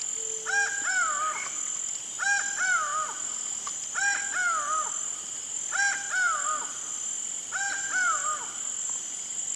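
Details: Laughing falcon (acauã) repeating its hollow two-syllable phrase five times, roughly every two seconds, a short note followed by a longer descending one, over a persistent high-pitched insect drone.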